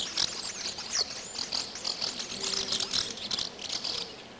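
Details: Swallow nestlings, three weeks or younger and still in the nest, give a dense chorus of very high, thin, squeaky cries, overlapping continuously as they stretch up and beg for food from the parents.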